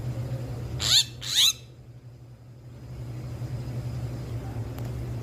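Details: Bali myna at a zoo, looking at the camera, gives two loud harsh rising chirps about half a second apart, then stays quiet over a steady low background hum.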